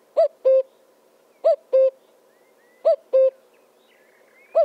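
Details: Common cuckoo calling cu-coo three times with a fourth starting, each pair a falling higher note then a steady lower one, evenly spaced about 1.4 seconds apart; faint bird notes behind.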